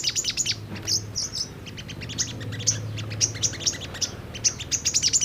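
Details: Brown-throated sunbird lure for prompting birds to sing and react: high, sharp chips in fast runs and spaced single notes, with a brief down-slurred squeak and a faint low hum underneath.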